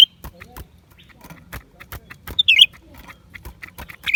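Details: Lesser green leafbird, January 2023: sparse sharp whistled phrases, one loud twisting burst midway and another at the end, amid faint clicks and quiet background noise.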